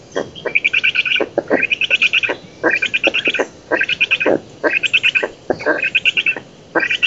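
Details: Nest camera in an oak in Poland, 11 June 2017: a black stork parent drives off an intruder. Loud harsh buzzy calls repeat about every 0.7 seconds, each bracketed by sharp clicks, in a steady rhythmic series.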